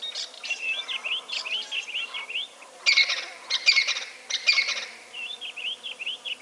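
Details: Gabar goshawk visiting water to drink, with a melanistic bird among them; short repeated piping notes in runs, broken twice by louder harsh, buzzy bursts before the piping resumes.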